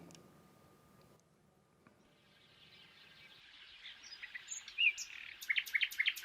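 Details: European nightingale, famed for its song; its song builds from soft notes into loud, rapid, high whistles and sharp repeated clicks, after a low room murmur.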